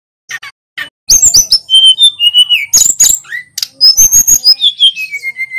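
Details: Male sulingan gunung, local to Pacitan, bursting into rolling song after soft opening chips: rapid high slurred notes, level whistles stepping down in pitch, and a closing run of descending whistled notes.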